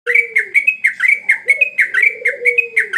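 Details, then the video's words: Sooty-headed bulbul in lively, sustained song: a fast run of short, bright chirped notes, roughly four per second, over a lower, drawn-out whistle that slides downward. "Burung trucuk gacor"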